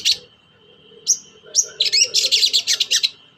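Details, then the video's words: Long-tailed shrike lure meant to make reluctant shrikes sing: a sharp note, two rising whistled slurs, then a fast run of about a dozen scratchy chattering notes, over a constant high tone. "TOET-TOET CENDET GACOR DONGKAK EMOSI CENDET SUSAH BUNYI || PANCINGAN BURUNG CENDET"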